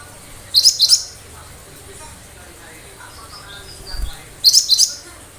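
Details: Cinereous tit (gelatik batu) giving sharp song bursts meant to make other birds respond and imitate: two short clusters of high chirping notes, about four seconds apart, with soft background sounds between.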